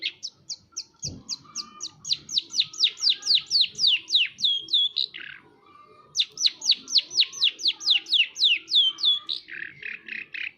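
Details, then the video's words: Long-tailed shrike singing vigorously: fast runs of high, sharply downslurred whistled notes, about four per second, in two long bursts separated by a brief pause, ending in buzzy chatter, with a faint low thump near the start. "burung peentet gacor pisan"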